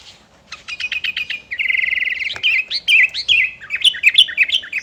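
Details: Sooty-headed bulbul singing in gacor style to challenge rivals: a string of quick clicking notes gives way to a steady buzzy trill, then a run of lively warbled whistles rising and dipping in pitch.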